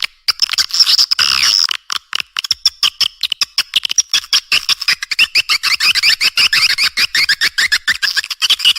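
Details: Swiftlet response call with a loud, fast train of dry clicks repeated many times a second over a busy, shrill, warbling twitter that carries on throughout.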